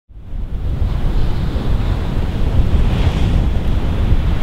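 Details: Loud crashing surf and wind buffeting the microphone build up after a brief silence, with no animal calls.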